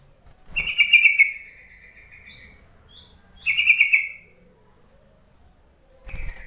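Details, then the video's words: Two lively, bubbling chatter bursts about three seconds apart, followed by the start of a third, from a yellow-vented bulbul calling to coax lazy bulbuls into singing. "Suara panggilan trucuk untuk memancing trucukan bahan ombyokan malas bunyi"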